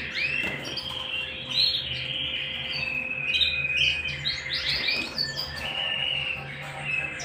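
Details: Canary singing at home, pouring out rolling high trills and chirpy bursts in long unbroken phrases, with a low steady hum beneath.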